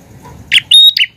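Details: One phrase from a prinia singing actively: a harsh, buzzy high chip, a clear thin whistle held flat for a moment, then a quick falling rasp, all very loud and close, with faint low background noise.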